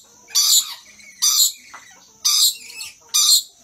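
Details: Dancing, excited rainbow lorikeet pair calling with four harsh high screeches in under four seconds, each short and grating, softer chatter between, and a faint steady high background hum.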